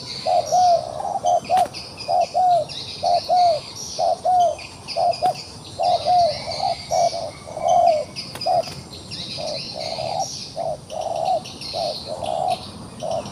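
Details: Trapped wild pigeon keeps fighting while giving a long sequence of cooing phrases, short and longer notes alternating, louder at first and then softer, with occasional clicks and constant high insect noise.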